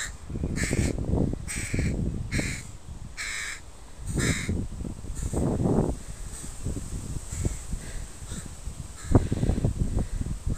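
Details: A rapid run of about six harsh caws from a crow family with young in a park, then quieter scattered calls, mixed with bursts of low rustling and scuffling.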